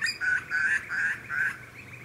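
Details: A juvenile Grey Butcherbird (Cracticus torquatus) on the Sunshine Coast, Queensland, in August 2020 gives four harsh, nasal, quack-like calls in quick succession, each about a third of a second long.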